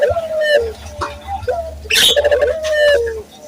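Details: Lure recording of a Barbary dove for training local doves. Long level purring coos with an upward start, broken midway by a sharp click or rustle. A steady low hum is in the background.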